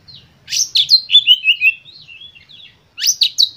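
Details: Oriental magpie-robin in an emotional lure song to prompt other birds to sing: a quick volley of loud downslurred whistles fading into softer twitters, then a sudden harsh, shrill burst.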